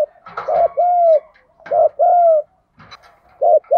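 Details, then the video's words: Spotted dove singing in the đồng pha thúc gù voice style, used to spur caged doves to coo and return to the perch; low, mellow cooing phrases of two to three notes, each phrase about 1.5 seconds apart, in a quiet room. "tiếng chim cu gáy giọng đồng pha thúc gù"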